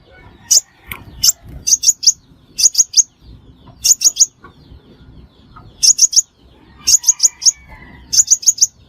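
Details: Five-colour sunbird call for luring birds into traps: scattered groups of two to four thin, high chips, irregularly spaced, with faint lower whistled notes behind.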